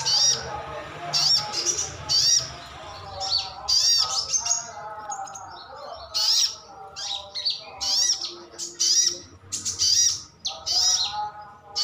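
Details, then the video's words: Sogon ngalas, brown-throated sunbird kept by its owner, calling to make other birds reply: a busy run of thin, sharp high chirps and short twittering bursts in quick irregular succession. "Suara panggilan sogon/sogok otong/sriganti pasti nyaut."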